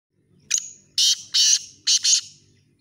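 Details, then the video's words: Black francolin gives a harsh, grating calling phrase in chakri-tournament style: a sharp opening click, then four loud rasping notes in quick rhythm over about two seconds, with a faint low hum underneath. "Black Teetar voice"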